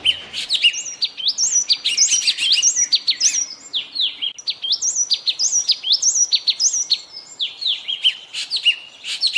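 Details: Yellow tit in Bogor delivering a long, varied song of high sliding whistles and sharp chirps in dense repeated phrases, with a brief pause midway.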